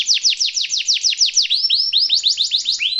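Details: Canary singing a richly ornamented master song meant for young canaries to imitate. A fast series of high, descending whistled notes gives way to a run of rising upslurred notes, each repeated about three times per second, with a clean background.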